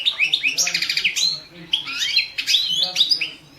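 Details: Competition song of a European goldfinch, Balkan subspecies Carduelis carduelis balcanica, entered in the 2017 online world championship under Serbian rules; continuous rapid twittering of high, liquid chirps and slurred notes with brief trills, indoors with faint low hum.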